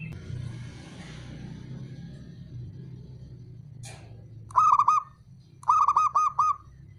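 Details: Male zebra dove, a local perkutut, calling: two bursts of rapid, ringing staccato coos, about five even notes each, separated by a short pause, over low background rumble and a brief rustle before.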